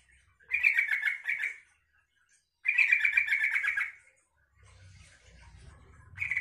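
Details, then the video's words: Yellow-vented bulbul song meant to get other bulbuls answering and singing: bursts of fast, bubbling warbled notes lasting over a second each, separated by short silences, with a low rumble of background noise. "suara trucukan ini bikin trucuk lain nyaut dan ikut gacor"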